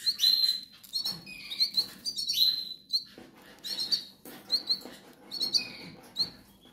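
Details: Goldfinch nestlings crying for food, giving piercing high squeaks and short downslurred whistles in tumbling bursts, with a faint low rustle beneath.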